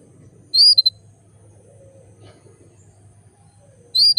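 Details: Female canary calling males to stir their breeding urge; a high whistled note followed by two quick pips, heard twice about three and a half seconds apart over a low steady hum.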